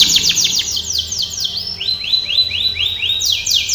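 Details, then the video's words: Canary training song: quick falling sweeps, then a run of upward-arching whistled notes repeated steadily, ending on renewed falling sweeps; low background hum throughout. "canary singing / canto Canario cantando | canary training song"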